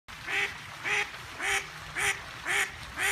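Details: A talkative female duck quacking steadily: six loud, nasal quacks spaced about half a second apart, evenly repeated, with a low rumble underneath.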